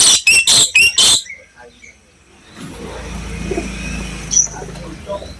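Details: Black lory call used as a lure to provoke other lories to call: five loud, harsh, rasping screeches in quick succession, then a quieter stretch with low background rumble and faint chirps.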